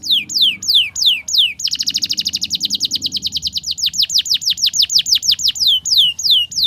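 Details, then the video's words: Canary tutor song used to teach young canaries the 'ngriwik' style and get them singing vigorously: a run of clear, high, whistled notes sweeping downward, then a fast buzzy trill of about two seconds, then quicker descending sweeps repeated several times a second. "Masteran Kenari Paud Belajar Bunyi Ngriwik, Pancingan Kenari Muda Agar Bunyi Gacor"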